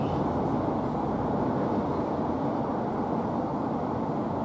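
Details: Continuous low mechanical drone from a vehicle or vessel runs throughout, and no animal voice is heard.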